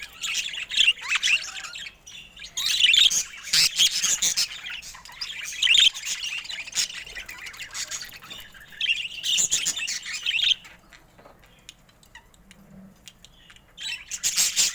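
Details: Pet budgerigars of colourful mutations chattering in bursts of fast, scratchy, high warbling and squawky notes, with brief quieter pauses between bouts.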